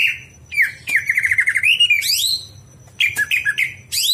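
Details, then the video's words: Greater green leafbird night song, kept for training other birds: a level trill of rapid pulsed notes, a rising sweep, then clipped warbled phrases and upward whistles, with a thin steady tone and soft low hum. "masteran cucak hijau di malam hari"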